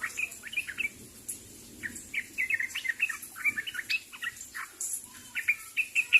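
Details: Sooty-headed bulbul calling to its fellows with bright, clipped chirps and brief whistled slurs, delivered in loose bursts with short gaps between them.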